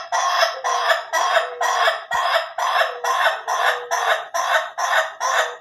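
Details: Ayam Ketawa rooster, from a comparison of slow and durasi crowing: a long, steady string of about twelve harsh, chuckling syllables, roughly two per second, each rising sharply then fading.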